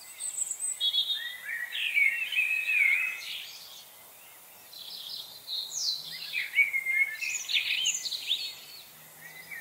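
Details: A frenzy of chickadees recorded November 25, 2020, giving overlapping high chirps and short slurred notes in two bursts separated by a brief lull, with a faint low hum underneath.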